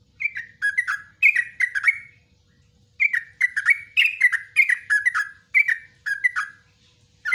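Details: Cage-bird training song of a yellow-vented bulbul, clusters of chattering, slurred notes falling in pitch, about four to five per burst, separated by short silences around one second long.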